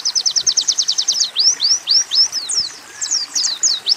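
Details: A fast even trill of high repeated notes opens this Oriental white-eye training song with canary and sunbird phrases, followed by looping slurred whistles and scattered sharp chirps.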